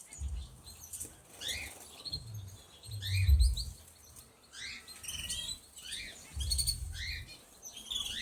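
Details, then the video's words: Canaries in an aviary giving soft, repeated upward-sweeping chirps and twittering notes, several birds calling over one another, with heavy low rumbling background noise. "Canarios en la voladera"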